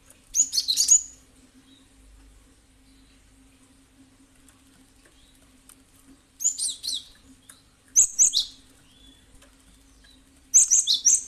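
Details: Lure recording of a cinereous tit meant to provoke other birds into calling: four bursts of quick, thin, high chirps, each of three to five notes, separated by pauses of a few seconds, with a faint steady hum.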